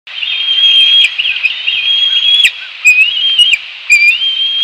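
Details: Bald eagle calling at a nest in Northeast Florida: clear high whistled notes with quick wavering trills, broken by sharper chirping bursts about once a second, fairly loud and close.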